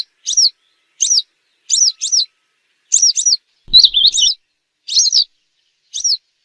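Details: Western yellow wagtail calls used as a hunting lure: short, sharp, slurred chirps around high pitch, given singly or in quick pairs, about eleven notes in six seconds, on a clean silent background with one faint low thump.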